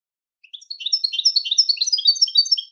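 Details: Goldfinch singing a continuous, fast jumble of bright, liquid twitters and chirps lasting over two seconds, dense and high-pitched, with a clean quiet background.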